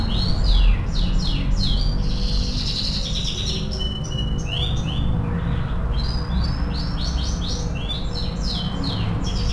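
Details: AF canary singing vigorously as training song: scattered fast chirps, brief trills and a buzzy passage, heard against strong low-pitched background noise.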